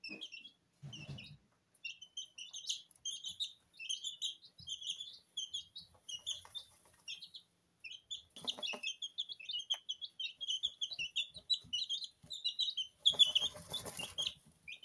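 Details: Two-week-old Porcelain and Lemon Sablepoot bantam chicks chirp nonstop as they bathe in their feed in a kitchen. Steady chains of high peeps are broken by bouts of scratching and a loud rustle toward the end.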